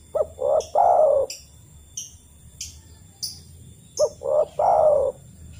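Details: Two repeated three-note coo phrases from a spotted dove, the call it gives in the wild to summon other doves: a quick short note, a rounder note, then a long mellow coo. Light high chirps are heard between the phrases.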